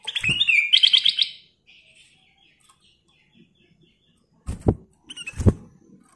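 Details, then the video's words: Ruby-throated bulbul singing energetically: one phrase of whistled notes running into a rapid, rattling trill, then a faint trailing warble, followed by several sharp knocks. "Burung kutilang emas Gacor full isian"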